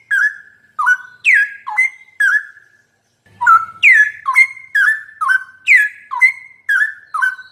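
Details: Loud mellow whistles of a straw-headed bulbul, recorded as a master for teaching sooty-headed bulbuls: a burst of five dipping, gurgling phrases, a short gap, then a longer rapid series.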